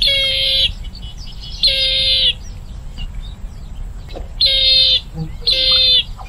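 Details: Bronze-winged jacana giving four harsh, wheezy, grating bursts, each about half a second long, separated by quieter gaps with faint chirps, a steady low hum beneath.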